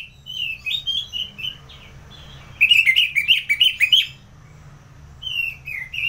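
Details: Orange-headed thrush from North Bali, Singaraja, singing in the ngeplong style: short whistled phrases, a quiet gap, then a loud burst of rapid rising-and-falling notes and a final pair of slurred whistles.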